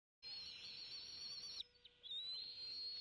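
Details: Bald eagle eaglets at the Decorah nest, 25 May 2016, two young waiting for a fish delivery at feeding time; dense high chittering, then a thin, drawn-out whistle holding steady and rising slightly, with constant low hum.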